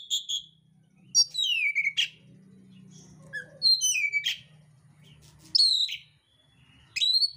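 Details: Oriental magpie-robin of the mintal variety in fighting mode, delivering rough mimicked fill-in phrases: loud, sharp descending whistled slurs and chips in bursts separated by short pauses, over a low steady hum.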